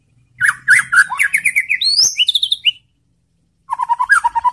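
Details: White-rumped shama song used as a lure to provoke other shamas into answering: rapid varied whistled phrases, sliding notes and quick trills, a brief pause, then a lower run of repeated chirps.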